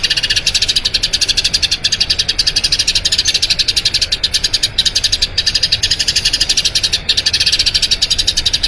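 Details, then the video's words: Eurasian tree sparrow, long rolling song used to train other birds: a continuous rush of high, sharp chirps at a steady fast pace, with brief dips now and then. "Masteran Burung Gereja Ngerol Panjang"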